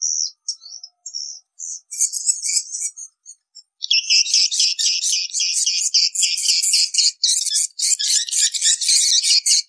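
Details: Edible-nest swiftlets, call used to attract swiftlets to nesting houses: a few sparse high chirps, then from about four seconds a dense, continuous stream of rapid, buzzy twittering chirps from many birds.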